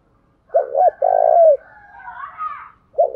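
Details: Decoy spotted dove in the morning, luring males: one clear phrase of two short coos and a long rolling coo curling downward, then faint rising warbles and the start of another phrase.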